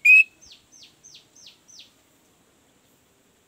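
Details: Orange-headed thrush lure for birds that are slow to sing: one bright whistled note followed by five soft, evenly spaced descending chirps, then silence.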